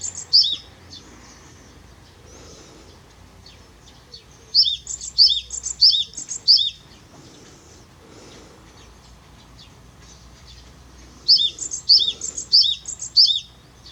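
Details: Japanese tit song recorded in 2021: three bursts of repeated high two-note phrases, each about four to five times in quick rhythm, separated by several seconds of quiet with faint low rumble.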